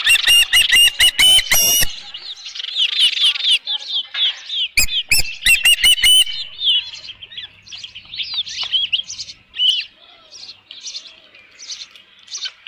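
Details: Osprey at the Dunrovin Ranch nest with a headless fish, 27 June 2018, midday: two seconds of rapid loud shrill chirping, a second burst near five seconds, then a long trail of softer, wavering high whistles.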